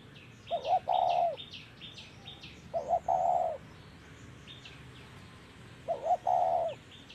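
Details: Spotted dove cooing in 'thổ' voice style while being trapped, three phrases of short coos and a long low note, with thin high chirps from small birds early in the clip.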